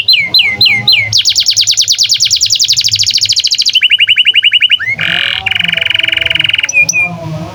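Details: Canary singing, offered as master song for young canaries and birds that stopped singing: repeated down-slurred notes, a long fast rolling trill, then lower rapid trills and a buzzy tour, loud and clean.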